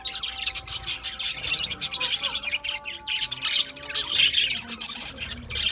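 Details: Several budgerigars eating seed mix produce rhythmic bursts of high chirping and squawky chatter, swelling louder toward the end.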